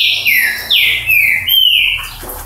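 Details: Paraná ultramarine grosbeak giving slow, clear whistled slurs, each note bending down then leveling out, four notes in under three seconds over a low hum.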